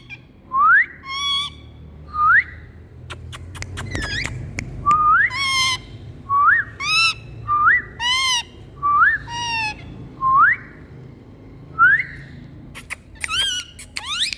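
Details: Indian green parrots giving different sounds: a string of upward-sweeping whistles and buzzy squawks roughly every second, with scattered sharp clicks and a few loud harsh screeches near the end.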